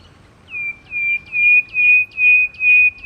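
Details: Antpitta giving a steady series of clear whistled notes, each with a brief upward flick at its start, repeated about every 0.4 seconds over a quiet, low background hum.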